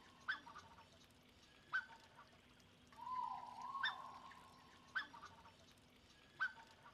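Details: Three black-necked swan cygnets, about 5 days old at a breeding center, give short, thin peeps about every one and a half seconds, with one longer wavering whistle between them, over a soft background hiss.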